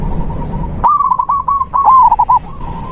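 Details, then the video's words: Zebra dove, recorded to encourage a silent dove to sing. A faint steady tone is followed by a lively, rolling phrase of quick cooing notes that speeds up toward the end, with low background rumble. "Terapi alam perkutut macet mogok bunyi"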